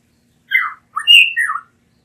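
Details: Blue mockingbird, a Mexican endemic prized there as a cage bird for its beautiful song, sings a short burst of slurred whistled notes, one falling then a higher steady note and a falling tail.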